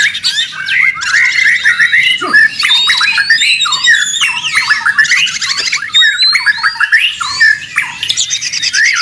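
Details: White-rumped shama, a loud, very busy song used as training audio for songbirds: dense, varied phrases of whistled slurs, rising and falling sweeps and rapid chattering trills, almost unbroken over nine seconds with only brief pauses.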